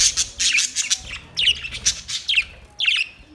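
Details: Australian parrot producing a rapid series of harsh, screechy calls, many in quick succession, with short gaps between bursts.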